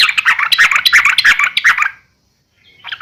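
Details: Dense, loud, gravelly chattering from a yellow-vented bulbul for about two seconds, the fighting call used to provoke other bulbuls, followed by silence and a faint resumed chirping.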